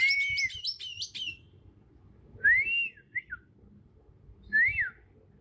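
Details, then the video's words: Young wild Bornean green magpie, still in its natural voice and moulting toward adult plumage with black spots on head and neck, in Kalimantan; a slurred whistle, then two rising-falling whistled notes about two seconds apart. "Suara asli alam cucak ijo kalimantan"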